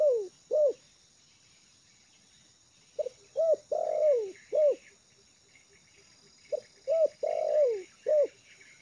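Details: Trained lure spotted dove settled on the ground in a yard, giving three phrases of soft low coos, each a short note, two arched coos and a drawn-out falling coo, spaced about three seconds apart, with faint high chirps and steady ticking behind.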